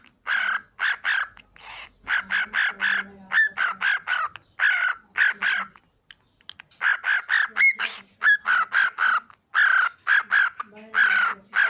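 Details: Cockatiel kept as a pet, chattering in long strings of harsh, squeaky speech-like syllables. Dense bursts are broken by a pause of about a second, with occasional thin upward whistled slides.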